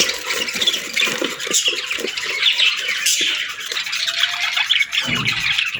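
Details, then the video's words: Baby budgerigars beg for food in a continuous, hissing, scratchy chatter of overlapping voices. A sharper squeak comes near the middle. A soft dull bump sounds toward the end. "Baby Budgies Chirping Sounds"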